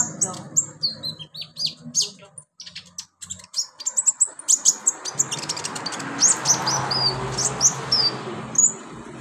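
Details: Brown-throated sunbird giving rapid high, needle-thin chirps and brief falling whistles, at times in quick runs, in a therapy recording meant to get caged birds singing. A low hum is heard early, and a broad hiss comes later.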